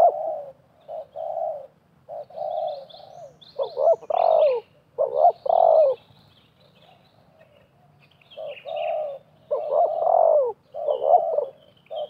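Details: Spotted doves, one wild and one a trapper's decoy, duel with coos during a 2024 trapping outing. Strings of short rounded coos build into louder doubled notes and long slurred phrases. Light chirping sits faintly in the background.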